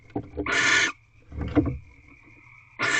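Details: Barn owls in nature at an owl box in Corral, mating just after midnight on 24 February 2023: two harsh, broadband hissing screeches, each under half a second, with softer rustling and thumps between them.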